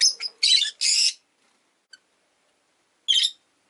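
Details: Harsh, buzzy chirps repeated rapidly from caged Rosy-faced lovebirds as an orange-faced bird shifts left and right beside a blue-and-white one on the perch. A final burst follows a pause. Five birds share the window-side cage; rain outside.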